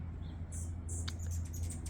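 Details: Morning in a flower-filled hummingbird garden: hummingbirds give thin, very high squeaks in quick bursts of chips and short squeals over a steady low rumbling hum.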